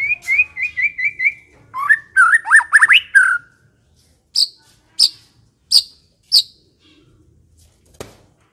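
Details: White-rumped shama song meant to attract other shamas: a fast series of short rising whistled notes, a varied warbled phrase, then four spaced high sharp chips about every two-thirds of a second and a final click.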